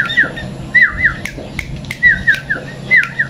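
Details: A tame, kept sooty-headed bulbul (kutilang) sings short bubbly phrases of two or three mid-pitched, rolling whistled notes, repeated roughly every second, with sharp clicks and knocks between phrases.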